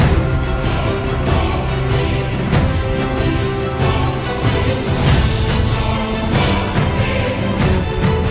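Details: Loud, dense theme music with a strong bass beat and layered instruments throughout; no animal sounds.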